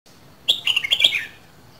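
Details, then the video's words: Red-whiskered bulbul from Dak Lak, Vietnam, a two-season bird, gives a short burst of song: a quick string of bright, liquid chirping notes lasting under a second, slightly descending at the end, over a low background hum. "CHÀO MÀO LÂN DAK LAK 2 MÙA SIÊU BỘNG"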